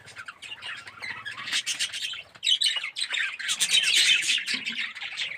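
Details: Aviary colony of yellow, red-eyed budgerigars producing dense, continuous warbling chatter of scratchy chirps and squawks, building louder after the midpoint.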